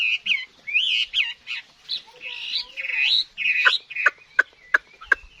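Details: Chinese hwamei, a wild-caught mature bird from 2024, giving rich, slurred whistled phrases separated by short pauses, ending with a string of sharp clipped notes repeated about three times a second.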